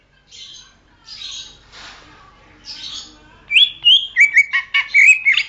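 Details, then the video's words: Greater green leafbird song used for training songbirds: soft breathy hisses, then a lively phrase of bright whistles and quick chattering notes repeated rapidly. "masteran suara burung cucak ijo"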